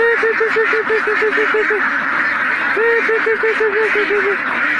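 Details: Group of mallards: a run of about ten short, evenly spaced quacks sinking gradually in pitch, a brief pause, then a second similar descending series, all over a constant thick background chatter of other ducks.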